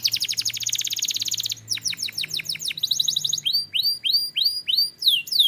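A Belgian canary sings a fast, high rolling trill, then slower down-slurred notes, another rapid trill and bright upswept chirps, all clear and continuous.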